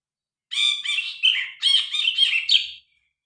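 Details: Loud, varied grey-cheeked bulbul song captured on a phone: about two seconds of continuous harsh, buzzy chattering notes in quick succession, rising and falling, no other sounds.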